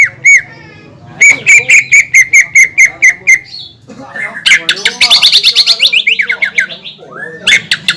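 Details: Greater green leafbird song used to goad other leafbirds into singing: a loud run of ringing notes, a gap, then rapid buzzy trills and chattering slurs with a varied, excited rhythm.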